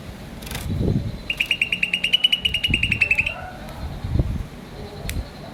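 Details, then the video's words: Rapid string of about twenty bright, clipped chirps from a green starling, delivered evenly for two seconds amid low thumping background noise and faint murmurs. "Green Starling Chirping Sound"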